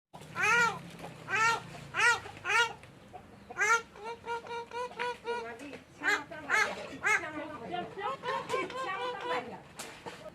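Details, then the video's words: Green parrot, possibly an Indian ringneck, talking: repeats a high, nasal, two-syllable "mitthu" in quick bursts with short pauses, voice shrill and childlike, a faint low murmur underneath early on. "green Parrot talking mitthu mitthu"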